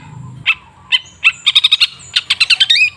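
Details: Cendet, or long-tailed shrike, singing for a lure recording meant to make silent birds sing. Spaced sharp notes lead into a fast run of clipped chips and a rising whistled ending.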